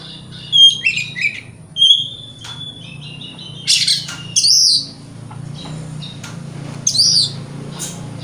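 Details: Oriental magpie-robin singing a lure song to provoke rival magpie-robins: varied sweet whistles mixed with harsh, scratchy bursts and sharp chirps in uneven phrases over a low background hum.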